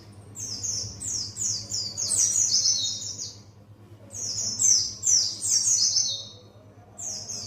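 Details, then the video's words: Buxtoni white-eye practising ngalas, the wild-bird song style: rapid runs of high, sweet, descending chirps grouped into phrases of one to two seconds, separated by brief gaps, with a constant low hum beneath. "Pleci Buxtoni belajar ngalas"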